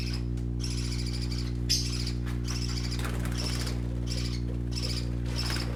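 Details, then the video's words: Colourful parakeet babies playing produce a run of repeated scratchy chirps, roughly three a second, partly masked by a strong, steady low hum. "Color ful Parakeet Babies playing - Original sounds"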